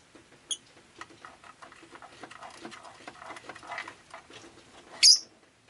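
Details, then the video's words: On a rainy day, a rosy-faced lovebird gives a tiny high note, then low muttering chatter, ending in a single loud, piercing chirp. "Lovebird Chirping Sounds"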